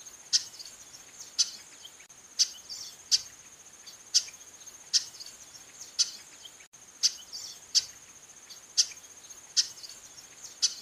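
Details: A female chestnut-capped blackbird calling insistently gives sharp, high chips about once a second over a steady, high insect drone.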